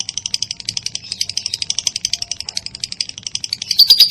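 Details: Lovebird konslet 'ngekek' chatter, used as a master for training songbirds like murai batu: a short run of fast, fairly soft rattling pulses ending in a few sharper, louder notes.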